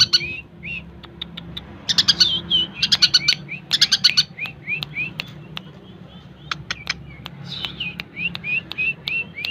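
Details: Long-tailed shrike song heard a little farther off, with dense bursts of chattering notes, many dry ticking clicks and a run of repeated downslurred whistles, over a low background hum.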